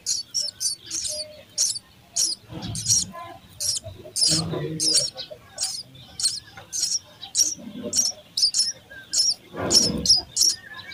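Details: House sparrow nestlings begging during feeding: rapid, uneven runs of high, scratchy chirps, with occasional lower rustles and bumps in the nest.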